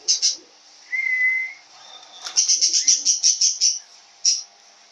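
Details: Yellow-phase grey male cockatiel, aged one and a half, recorded 7 June 2021: one smooth level whistle, then a fast run of about ten sharp high chirps, a brief pause, and a single further chirp.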